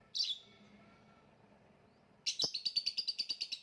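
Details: Lovebird kept for songbird competition practice, the style called gantangan macet: a sharp high chirp, a pause, then a fast run of rapid high twittering notes, about three per second.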